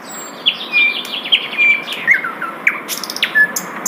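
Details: Asian brown flycatcher singing in the wild: thin, high whistled notes and brief flat tones with short descending sweeps, delivered in an irregular run of separate phrases over faint background hiss.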